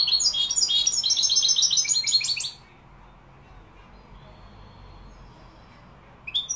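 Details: European goldfinch singing Málaga-style song in Morocco: two and a half seconds of fast, high, jangling twitters and trills, then near silence, with a final note starting at the very end.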